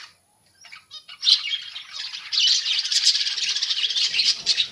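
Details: A budgerigar colony, birds housed together instead of in cages; after a quiet start, a swell of overlapping warbles, chirps and squeaky chatter builds and keeps going.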